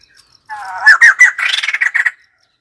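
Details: White-crested laughingthrush opening with a rising, slurred note. It builds into loud, harsh, rapidly repeated cackling notes for about one and a half seconds.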